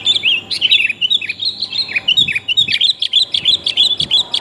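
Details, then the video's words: Female sooty-headed bulbul calling to a male, played to lure birds; a dense run of quick bright chirps and slurred whistled notes, about three per second, continuing without a break. "kutilang betina memangil jantan mp3 pikat burung kutilang paling jitu"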